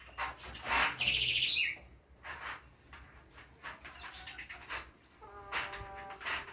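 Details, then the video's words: Household birds singing: brief high whistled trills and chirps come in bursts, with a bright buzzy phrase around the second second and a lower, tonal, harmonic-rich note near the end, over quiet room background. "meus pássaros cantando"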